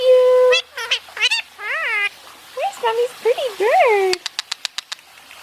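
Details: {'caption': 'Basking pet Indian ringneck parakeet chattering in quick, nasal, speech-like syllables that bend up and down in pitch, followed by a rapid series of dry clicks.'}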